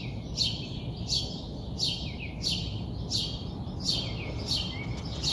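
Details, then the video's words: Bird in the early morning repeating bright downward-sweeping chirps about every two-thirds of a second, a steady low hum beneath. "early morning bird call"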